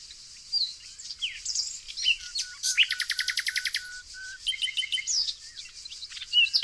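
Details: Nightingale among flowers near Tonekabon, Iran, singing a varied song: scattered sharp notes lead into a fast, regular rattle of repeated notes, then more twittering and whistled phrases, with a steady high background hiss.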